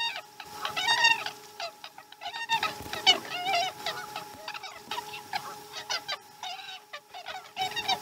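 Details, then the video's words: Osprey at the Chesapeake nest, morning feeding, 2019-12-12: long sequence of rapid, sharp chirps and bent whistled notes, repeated in uneven volleys with brief quiet gaps, over a low continuous hum. "Today's Morning Feeding has a slow Start - Chesapeake Osprey Nest"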